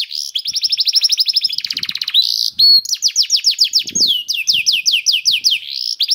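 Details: Canary singing as a prompt for other canaries: rolling high trills, a brief buzzy burst and a pure whistle, then a run of loud descending chirps.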